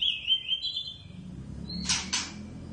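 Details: Captive wild-caught Oriental magpie-robin, one of a pair kept at home that sings all day: a sweet wavering whistle held level and high, then a short rising note and two harsh, scratchy bursts close together.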